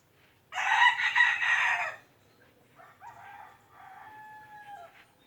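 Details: Rooster giving a loud, harsh crow lasting about one and a half seconds, then quieter background birdsong with a thin whistled note.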